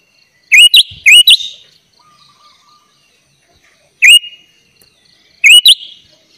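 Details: Sooty-headed bulbul, 'gacor' song with 'isian' phrases for training young bulbuls: short bright rising whistles in pairs and singles, separated by silent pauses of several seconds.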